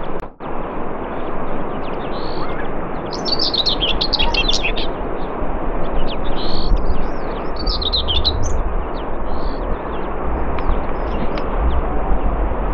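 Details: Common whitethroat song recorded at Morte Hoe, Devon, UK: two brisk, harsh, chattering warble phrases a few seconds apart, each about a second long, with scattered short high notes between and constant wind roar beneath.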